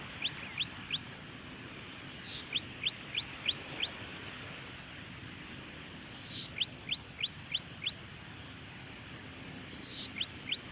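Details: A Golden-headed cisticola in Victoria, Australia, in October 2020 repeats a high, wheezy buzz followed by three to five sharp, liquid 'lik' notes, about every four seconds, over a faint steady hiss.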